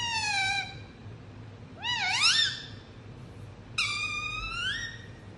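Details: Indian ringneck parrot giving three drawn-out, harmonic-rich calls: the first slides downward, the second rises and dips in a wavering curve, the third climbs steadily, with a faint low hum underneath.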